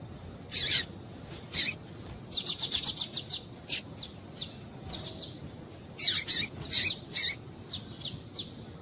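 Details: Female double-collared seedeater (coleiro tui-tui) calling to stimulate the male: sharp, dry high chips, single and in quick bursts, including a rapid run of about six, scattered irregularly through a quiet background.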